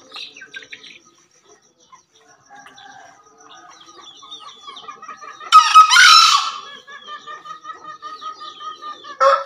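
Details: Soft chirps of small birds give way to one loud, coarse crow from a male Javan green junglefowl near the middle, with another crow just beginning at the very end.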